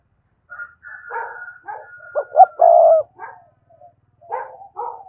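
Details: A spotted dove in full song, played to stimulate captive doves; a thin high whistled tone and rougher calls lead into two quick notes and a long gravelly coo, followed by softer broken coos.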